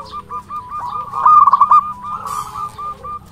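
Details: Local zebra dove singing actively, recorded as a training song to provoke other doves to answer: soft low cooing notes that break into a rapid, even trill of pulsed coos, with faint background hum.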